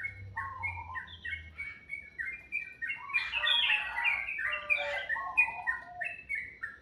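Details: Melodious bird in the morning: strings of short, clear, downslurred whistles, then a busy stretch of overlapping chirps and warbles, fading back to spaced whistled notes.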